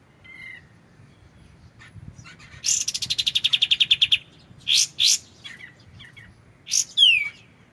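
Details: White-shouldered triller (kapas tembak) in a clear tutor recording for shamas: a fast run of about a dozen sharp repeated chips, then scattered short notes and a downslurred whistle.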